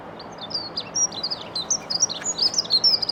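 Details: A territory-holding male dunnock in an urban allotment in Scotland, defending his territory, sings a fast, high, jangling warble of thin squeaky notes, running on for about three seconds with no pause, over faint background hiss.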